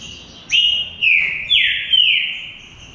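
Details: A contest between two singing green-winged saltators: one long steady whistle, then a strong note that swoops down and levels off, sounding clear and flute-like.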